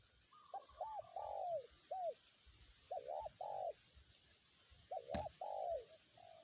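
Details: Spotted dove lure bird keeps cooing in strong wind; three phrases of short rising-falling coos ending in longer drawn coos, with one sharp click and low wind rumble.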